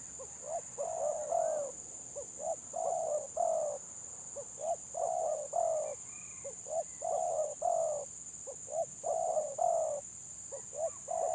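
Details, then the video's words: Stuttering-style 'gagap' song of a village spotted dove: many short jerky coos interleaved with longer throaty coos, phrases repeating roughly every two seconds for over eleven seconds, with a constant high hum behind. "BURUNG TEKUKUR GAGAP VS GAGAP"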